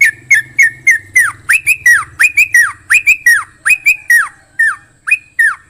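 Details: Sooty-headed bulbul, a champion singer, heard up close. It gives loud, sharp notes that each rise then fall steeply, repeated in a fast, uneven series, with a low hum underneath.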